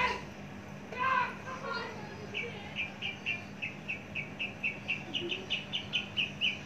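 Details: A person speaks briefly, then a long-kept, mature, large-bodied Javan bush lark starts a steady run of short sharp chirps repeated about four times a second.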